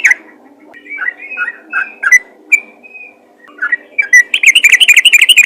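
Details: Yellow-vented bulbul calling other bulbuls, starting with scattered slurred whistles and a drawn-out flat note, then ending in a dense burst of rapid, excited chattering notes.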